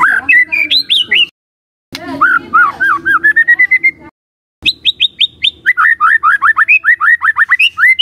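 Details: White-rumped shama song played as a lure to provoke rival shamas, with quick looping whistles, a brief pause, a series of upslurred notes, then fast repeated rising and falling whistled phrases.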